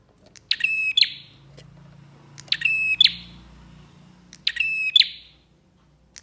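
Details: Three evenly spaced song phrases from a bar-winged prinia, each a harsh, ringing, harmonic note with sharp clicks, about two seconds apart, over a low hum. Used as a lure to set off other prinias.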